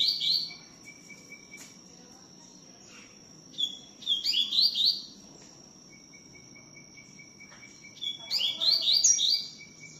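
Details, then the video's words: Double-collared seedeater (coleiro) singing a lot in the tui tiu song style: short bursts of quick, bright, warbling chirps near the start, around four seconds and again near eight seconds, over a steady thin high whine and a fainter lower hum. "COLEIRO TUI TIU CANTANDO MUITO"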